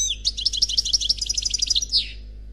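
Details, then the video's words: Lone unpaired European goldfinch singing Khalwi style: a continuous, even chain of bright high twittering notes closing with a falling, buzzy slur, against a faint background hum. "Chant Chardonneret Khalwi Célebataire"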